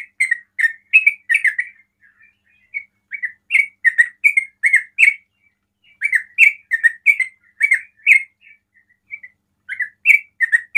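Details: Sooty-headed bulbul in rapid 'ropel' song, able to draw other bulbuls into calling. Runs of quick, bubbly chirps come in three bursts separated by short gaps, each burst of slurred, warbling notes.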